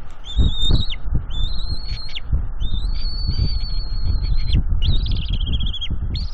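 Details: Juvenile bald eagle on a northeast Florida nest, April 19, 2021, mantling and claiming fish from its parents. It gives loud, sustained high whistled squeals, some long and flat, one wavering, over wind buffeting.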